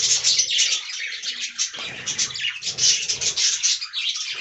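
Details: Caged budgerigars in a colony fill the air with unbroken, hissy chatter and squeaky warbling, loud and dense from start to finish.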